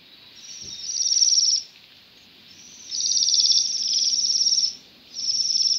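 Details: Bohemian waxwings feeding on rowan berries in December, Pushkin, Saint Petersburg, Russia; thin, high, buzzy trills about a second long, repeated with short pauses, three bursts over quiet background.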